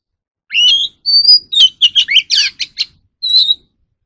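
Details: Oriental magpie-robin singing for captive-bird voice training: a rising slur, a held high whistle, then a fast series of sweeping and chattering notes ending on a clear whistle.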